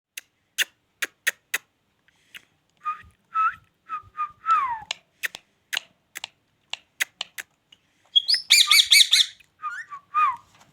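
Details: Ringneck parrot giving short whistled notes that slide down, mixed with sharp repeated clicks, then a loud harsh buzzy squawk burst lasting about a second before final whistled notes.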